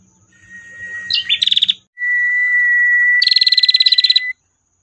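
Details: A female prinia gives its long "tir" call in two phrases, each a long, thin, steady whistle breaking into a fast, buzzy trill of rapid pulses, over a faint low rumble.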